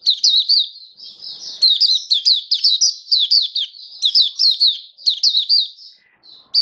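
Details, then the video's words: Oriental white-eye (mata puteh), a hobby bird, in 'buka sing raja' song on 21 October 2022: almost unbroken stream of thin, high, fast chirps and slurred twitters, clean with little background. "Mata Puteh Buka Sing Raja"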